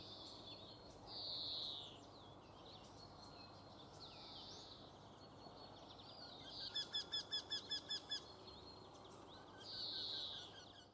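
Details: Eurasian wryneck giving a short, fast run of about eight nasal, arched notes in the middle, with higher, drawn-out calls from other birds before and after, over steady background noise.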